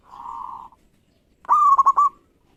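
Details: Local zebra dove singing to provoke a rival to answer: a soft sustained hum-like coo, a short pause, then a loud rising note followed by a rapid stuttered burst of three or four cooing pulses.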